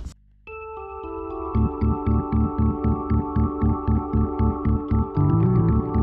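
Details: Pulsing ambient electronic music with sustained tones and a regular throbbing beat, about four pulses per second; no animal voices.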